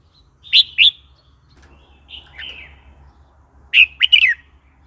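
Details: Red-whiskered bulbul song for teaching young birds and provoking new or wild birds: two quick bright chirps, a softer slurred whistle, then a loud rapid bubbly phrase.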